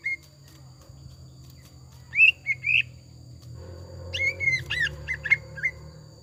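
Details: Greater green leafbird song used as a lure, with tengkek buto fill: a few bright twisting whistles, then a stream of clipped chirping notes over a low background hum.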